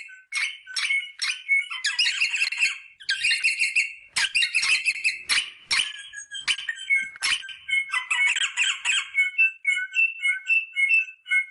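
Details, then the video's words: Rosella sounds meant to prompt breeding: scattered sharp chirps and clicks mixed with bursts of fast chatter, then a run of short, piping whistled notes alternating in pitch. "صوت طائر الروزيلا للتحفيز على التزاوج │The sound of the rosella bird to stimulate mating"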